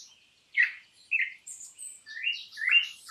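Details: Campo troupial song, imported bird used as a training recording: varied whistled and chirped phrases in short bursts, mid to high pitched, with gaps between notes.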